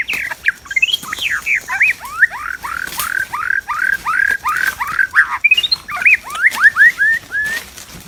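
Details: White-rumped shama song from the wild, recorded during a trapping session. A fast series of about twenty loud, downslurred whistled notes, with a few higher rising notes in between.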